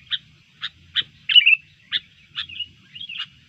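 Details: A sooty-headed bulbul stirred into fighting mood by disturbance gives crisp, evenly spaced chip notes, about two per second, mixed with a couple of short slurred whistles.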